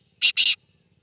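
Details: Black francolin (kala teeter) calling: two short, loud, harsh rasping notes in quick succession, the second slightly longer, over a quiet background with a faint low hum.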